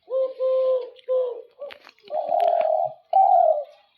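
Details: Caged doves indoors, called a 'double' calling type, give soft tonal coos: two short, steady notes with a faint overtone, then two longer, fuller, slightly buzzy coos near the end, with faint rustling.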